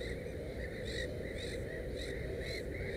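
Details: Black-headed gull at its nest with three chicks, giving harsh, nasal calls repeated about every half second against a steady low rumble of background noise.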